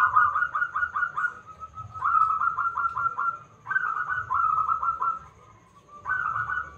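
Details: Strong-voiced local zebra dove singing steadily as a lure for other birds: three or four bouts of quick, stuttering coos, each trailing into a smooth held note, repeated roughly every two seconds.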